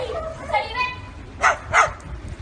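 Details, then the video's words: Parrot copying dogs: a warbling, tonal speech-like phrase followed by two loud, harsh bark-like bursts close together. "Funny Parrot barking as Dogs"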